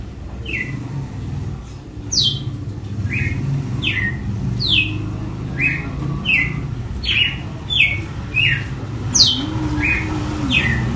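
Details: Açoite song of a red-cowled cardinal: a long run of about seventeen crisp, whip-like notes, each falling steeply in pitch, alternating high and lower versions at a quick, uneven pace, over a low hum.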